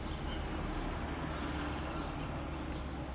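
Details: Eurasian blue tit song recorded 10 April 2020, given twice: each phrase opens with high thin whistled notes and falls into a quick trill of four to five repeated short notes, very high-pitched.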